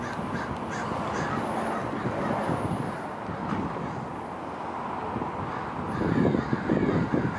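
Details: A crowd of American crows mobbing a predator, cawing harshly almost without pause, rough overlapping calls rising to a louder burst near the end, over a low background rumble.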